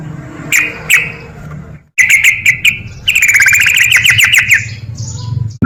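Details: Sooty-headed bulbul (trucuk) in 'ropel' style meant to provoke lazy birds: two isolated chips, a quick stutter of notes, then a long rattling burst of rapid bright clicks for about two seconds.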